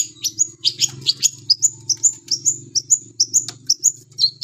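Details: Long-tailed shrike in lively song, a rapid, fast-paced string of about twenty thin, high whistled notes, some sliding upward, some dipping, delivered nearly three per second over a faint low hum.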